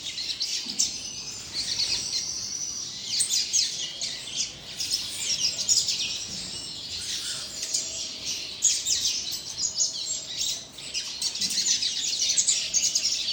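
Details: Juvenile double-collared seedeater practising song: long, rambling series of rapid high twitters, squeaky notes and buzzy trills, with a short dip near the end before it resumes; a faint low hum in the background.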